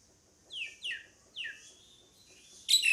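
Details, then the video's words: Three clear, descending whistled notes from a pied myna in quick succession, then a short harsh burst closing the sequence. "SUARA PANGGILAN JALAK SUREN"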